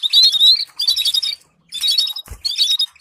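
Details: Canary song for training canaries to sing: bright high chirps and twittering phrases in two bursts, broken by a short silence and a low thump near the middle.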